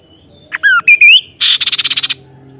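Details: Kaso-kaso singing vigorously, with clear whistled notes sliding down, then up, followed by a loud rasping burst and a fast stuttering train of about eight pulses.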